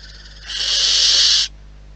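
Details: A single loud, rough hiss of about one second from wild barn owls at the nest, swelling up from a quieter rasp.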